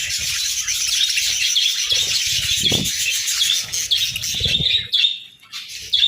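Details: Budgerigars in the morning giving constant high chattering chirps and warbles, overlapping from several birds, with a few low bumps and brief quieter moments near the end.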